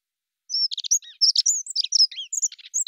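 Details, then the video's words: A Dunnock (Prunella modularis) sings a fast, high, jangling warble of squeaky notes, tumbling along without pause for over two seconds; no other sounds stand out. "Как поет Завирушка лесная"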